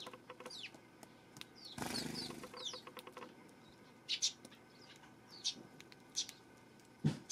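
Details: Eurasian tree sparrow, recorded September 12, giving scattered high chirps and short downslurred notes, with a flurry of wing flapping partway through and soft tapping in the background.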